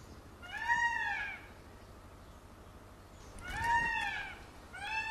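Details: Peacock calling while dancing with its feathers spread open: loud, nasal, arched wails with rich harmonics, one near the start, another about three seconds later, and a third beginning at the end, over a low steady hum.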